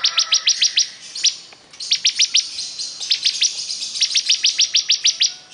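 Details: Bar-winged prinia (ciblek kristal) singing nonstop: three successive trains of bright, staccato high chirps, each note crisp and closely spaced, separated by brief breaks.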